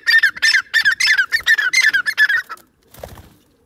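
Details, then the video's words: Captive pet female teetar (partridge) calling: loud, harsh, squawky notes repeated rapidly, about three per second, for two and a half seconds, then stopping, followed by a brief quieter rustle. "teetar sound female,partridge bird"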